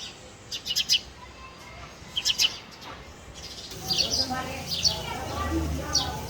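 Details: Male house sparrow uttering high, clipped chirps in small bursts, followed by a denser patch of chirping over a low background rumble.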